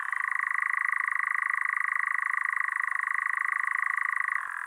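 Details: A Eurasian nightjar churrs at dusk in open woodland or heathland: one unbroken, mechanical-sounding trill, rapid and even like a distant engine, with a slight pitch shift near the end. The churring can last minutes and serves territory and attracting mates.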